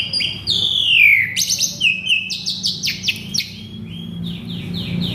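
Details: {'caption': 'Agitated male Asian pied starling with a varied mimicked repertoire: a long downward-sliding whistle, then a run of quick sweeping whistled notes falling in pitch, repeated several times.'}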